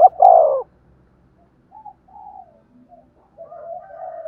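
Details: Spotted dove coo for decoy-bird training: a loud falling coo at the start, then a long gap with faint short notes and a softer extended coo at the end.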